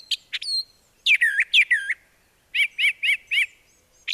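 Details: Brown thrasher (Toxostoma rufum) song: rich, varied whistled and buzzy phrases, each repeated about twice before switching to a new phrase, with brief pauses between.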